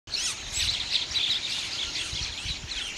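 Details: Bank mynas, locally called Gang Shalik, birds that nest in river banks and live in flocks; dense overlapping high chirps and squeaky chatter run continuously, with faint low rumbling underneath.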